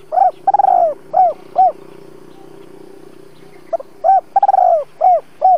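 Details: Spotted dove lure bird calling 'double voice' to stir wild doves for trapping; two repeated phrases of soft hooting coos built around a quavering rolled note, over a steady low hum.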